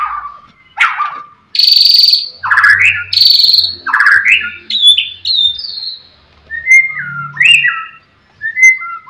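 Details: White-rumped shama singing to provoke rivals: separate loud, clear, rising and falling whistled phrases with some buzzy high notes, spaced by short silences, and a faint low hum beneath.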